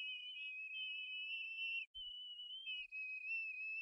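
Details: At a Harrison Bay eagle nest on 18 May 2015, bald eaglets cry for food brought by a parent: a steady, high, thin whistled wail held almost continuously, broken once by a short gap and a soft thump.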